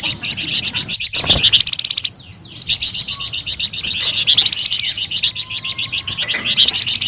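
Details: Flamboyan bird's lively, high chattering song of quickly repeated notes, briefly interrupted by a thump and a short pause before the rapid twittering resumes.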